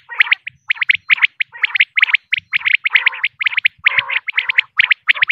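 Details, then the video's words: Female common quail, called batair, recorded for use in hunting: dense runs of sharp, chirping notes, bunched in quick clusters and repeated about once a second with no pause. "batair sounds audio, quail sounds,female, common quail"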